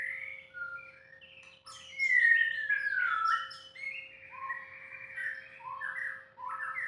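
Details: Caged white-rumped shama singing: mellow whistles, then a rapid burst of chattering notes leading into a long descending whistle, followed by varied warbled phrases; constant faint hum in the background.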